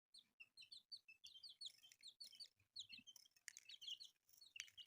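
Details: Newly hatched colourful chicks make loud, shrill peeps that swoop downward, several birds calling at once, with soft rustling beneath.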